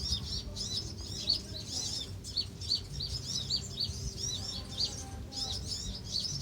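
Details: A colony of Van Hasselt's sunbirds calling at Pulau Perhentian, Terengganu, Malaysia, in June 2017; overlapping high, thin chirps and twitters run continuously, with a low background hum.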